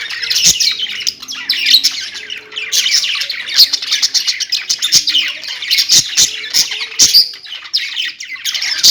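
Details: Pet budgerigars chattering together, a dense, continuous warble of high chirps and squeaky notes with scattered sharp clicks throughout.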